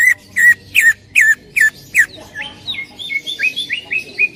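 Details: Loud greater green leafbird (cucak ijo) singing in full 'tembakan' shot style, recorded for training other songbirds: six forceful, buzzy-edged downslurred whistles, then a quicker string of softer rising and falling chirps.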